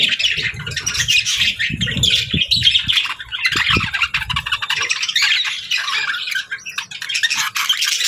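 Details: Pet budgies keep up nonstop chirping, overlapping high twittering and harsh squawky notes, with some low knocking sounds in the first half.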